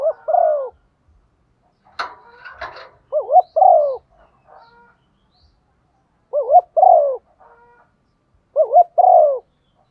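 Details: Female spotted dove thúc gù calling used to stimulate wild birds: four double coos, each a brief quavering note and a longer falling hoot, with a short burst of scraping noise near the start.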